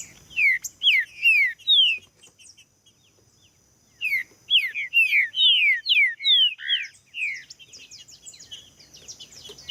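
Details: Green-winged saltator singing, a recording meant to warm up other saltators and prompt them to sing: phrases of sharp, falling whistled notes in rapid runs, a pause, then a longer run of loud slurred whistles.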